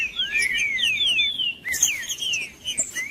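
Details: Green-winged saltator singing, a recording used to warm up a cold bird for song tournaments: loud slurred whistled phrases, rising and falling, given in quick succession, with high thin chirps overhead.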